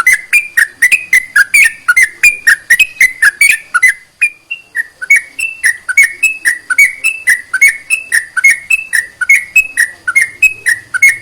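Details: Sooty-headed bulbul song to stimulate reluctant birds into singing: a dense, fast run of whistled notes for four seconds, a brief pause, then a steadier series of bright sliding notes.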